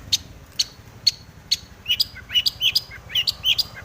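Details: Long-tailed shrike song in breeding condition, used to lure others into singing: evenly spaced sharp high clicks give way to quicker slurred chirps and squeaky notes.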